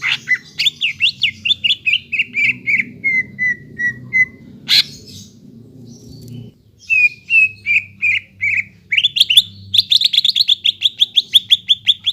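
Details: Varied greater green leafbird song meant to excite a leafbird that has stopped singing: descending whistled notes, a sudden sharp click, a pause, then more slurred notes building into a rapid chattering series over a soft low hum.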